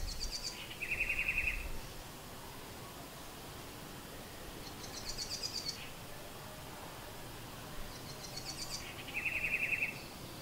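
A house wren sings three short phrases about four seconds apart, each a high, thin burst of notes followed by a lower rattling trill, over steady background hiss.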